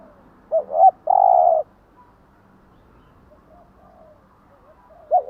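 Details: Spotted dove morning cooing to stimulate caged doves: a double note then one long level coo, with softer distant coos and a low background hum before the next phrase starts.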